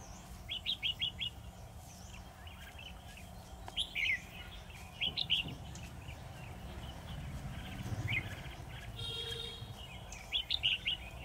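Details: Decoy red-whiskered bulbul singing from a trap, repeated quick chattering whistled phrases about every second or two, with rustling and background noise between them.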